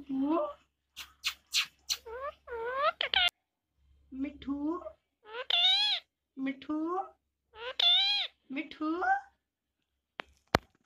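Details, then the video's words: Pet rose-ringed parakeet chattering Hindi words in a small room: a steady series of short raspy, speech-like syllables with rising and falling pitch, interrupted by sharp clicks and pauses. "Cute hindi talking parrot"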